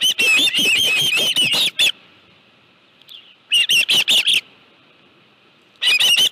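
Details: Osprey calling at a ranch nest in July 2018 while a live fish is present: bursts of shrill, piercing chirps in quick succession, separated by pauses of about two seconds, with faint background hiss in the gaps.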